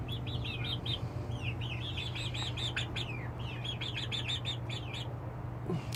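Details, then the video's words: Young chickens settling on their perches at night, their first night all getting up unaided, uttering strings of clear high peeps, some slurred and wavering, above a constant low humming background. "Chick sounds and successful perching"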